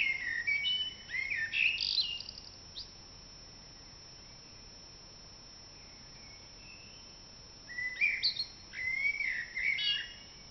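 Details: Dawn chorus in April led by a common blackbird, with rich warbling phrases at the start, a long quiet pause, then another burst of fluted, twittering notes near the end.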